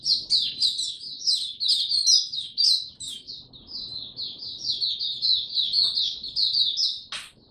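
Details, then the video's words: Caged white-eye known locally as Mata Puteh, Singapore, 31 July 2023, singing once more; dense, high, rippling twitters and squeaky notes pouring out almost nonstop, closing on a sharp tap. "Singapore Mata Puteh Buka Sing"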